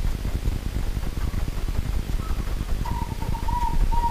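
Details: Wild local zebra dove heard at night: after faint notes, a soft, level trilled coo of short beaded units runs for over a second at the end, beneath heavy low-frequency background rumble.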